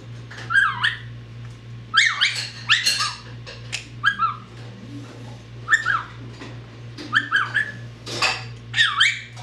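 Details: Pet parrot mimicking whistling, the words "here kitty kitty", a meow, a "ruff" bark and yelling: a series of short squawky, whistled sweeps rising and falling, spaced about a second apart, over a steady low electrical hum.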